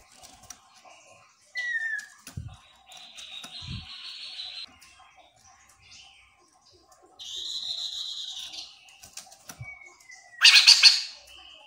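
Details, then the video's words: Chestnut-capped laughingthrush song used as a lure for others of its kind to reply: clear descending whistles and sustained buzzy trilled phrases, ending in a loud harsh burst, with a few soft knocks in a quiet room. "Poksay Genting Gacor Full,Semua Jenis Burung Poksay Mandarin Langsung ikut Nyaut"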